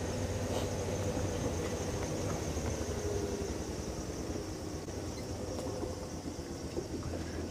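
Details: A steady low engine rumble of an idling vehicle fills the clip, with no animal voices standing out.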